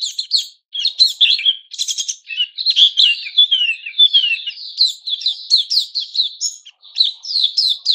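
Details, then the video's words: White-crowned shama in a cage, growing new feathers, 6 September 2021: a varied, energetic song mixing harsh chattering clusters, down-slurred whistles and quick rising notes, nearly continuous. "Puteh Raja season new feathers"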